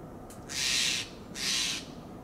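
A Steller's jay gives two harsh, raspy calls about a second apart, each a loud hissing rasp lasting half a second, against quiet background.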